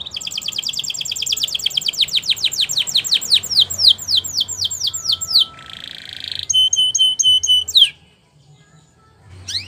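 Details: Training song of a canary: a long run of rapid downward-sweeping whistled notes, then a dense buzzy burst, a row of sharp clipped notes, a final upward swoop and a pause.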